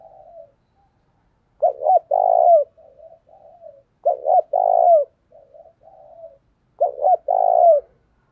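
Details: Spotted dove kept as a decoy to draw in wild birds sings three full phrases, each a short stuttered double note and a drawn-out throaty coo. Quiet murmuring coos fill the gaps between phrases in an otherwise silent setting.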